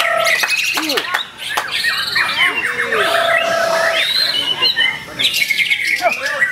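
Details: White-rumped shama, a wild-caught bird at Ciseeng, Bogor, 10/08/2021, delivering a lively varied song of looping whistles, sharp chips and slurred phrases, broken by brief pauses and clicking sounds.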